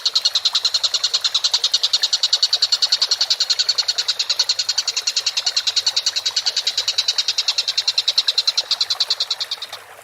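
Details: Collared kingfisher calling steadily in a bird-training recording: harsh, scratchy notes repeated rapidly, about three per second, in an unbroken even series for about ten seconds that fades slightly at the end.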